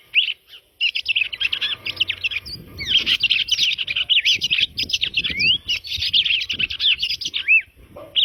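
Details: {'caption': 'Red-crested cardinal delivering a long, continuous run of fast chirps and slurred whistles, with faint low rumbling in the background.'}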